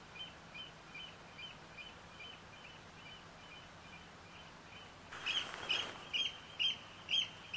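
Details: Eurasian oystercatcher on 6–7 July 2014: a faint, distant run of piercing piped notes gives way to louder, sharper calls in the final seconds, with a soft rush of noise and a constant low hum.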